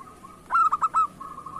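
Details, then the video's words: Local zebra dove, a keen singer suited for luring: one loud burst of four short, mellow, staccato coos, framed by faint, steady background notes. "Perkutut lokal gacor cocok untuk pancingan"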